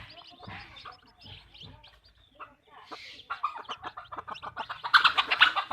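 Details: Hens in a backyard chicken farm clucking in quick irregular bursts, growing louder and denser toward the end, with brief squawks and rapid staccato notes.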